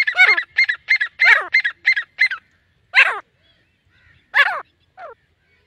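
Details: Grey francolin (Ortygornis pondicerianus) calling: a rapid run of about eight loud, harsh, ringing notes, then three more spaced calls over the next three seconds, in an otherwise quiet setting.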